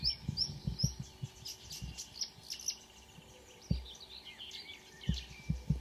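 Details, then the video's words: Marsh warbler singing at 5 a.m. on 2 June 2009 at Kråkstad near Ski, Norway, with a couple of singers present: high chattering and whistled notes run on continuously over frequent low thumping handling noise. "The song of a *Acrocephalus palustris* Myrsanger / Marsh Warbler"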